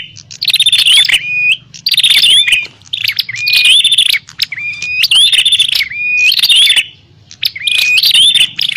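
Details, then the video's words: Bar-winged prinia fighting call used as a lure for wild prinias: noisy bursts of sharp, high chirps and twittering, each about a second long, broken by short pauses, with clean upslurred whistles woven through the bursts. "Suara burung prenjak pikat - prenjak tarung ribut ampuh memanggil prenjak liar"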